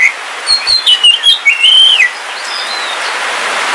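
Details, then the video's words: Kalimantan black oriental magpie-robin in a cage at home, singing in the rain: a few bright chirps lead into a long, wavering whistled phrase, then steady rain noise alone fills the rest. "Suara Kicauan Ketika Hujan - KACER WULUNG KALIMANTAN"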